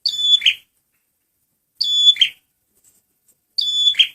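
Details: Male red prinia (prenjak merah), lure recording: a short bright whistled note falling into a buzzy rasp, repeated three times about every 1.8 seconds against a silent background.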